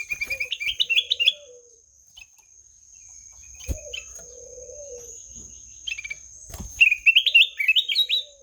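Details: Melodious song of a ruby-throated bulbul: two lively bursts of rapid, rising and falling warbled notes separated by a quiet pause with a few clicks and knocks, a steady high whine throughout.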